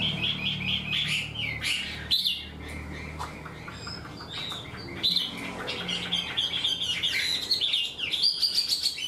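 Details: Untrained Chinese hwamei kept in a cage, singing in a structured way like a tame bird, pours out loud repeated whistles, sharp chirps and fast trilled phrases about twice a second.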